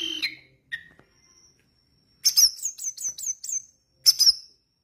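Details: Orange-headed thrush in 'gacor dor teler' song: a few separate notes, a pause, then a fast burst of about seven very high, sharp chirps. A final short flourish closes it, with no other sounds present.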